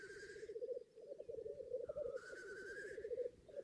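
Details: At a northern England lek, black grouse keep up steady rapid bubbling cooing. Two long rasping hiss-sneezes stand out above it, one at the start and one near the middle.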